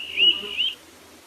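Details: A begging juvenile Townsend's Solitaire in late summer gives a high, thin, ringing, polyphonic whistle from both sides of its syrinx, rising notes over under a second, hard to locate, with a faint low hum beneath.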